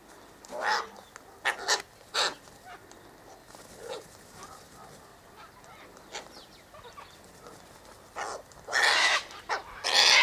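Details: Sulphur-crested cockatoos feeding on a tossed seed mix of sunflower, wheat and birdseed near an eastern gate; scattered short raspy calls early on, a quieter stretch, then a long loud screech near the end.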